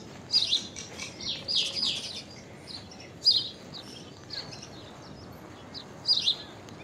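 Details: Common myna with an unusual call: short, sharp chirps in small clusters, the strongest near the start, middle and end, separated by quiet gaps, with a soft hiss behind.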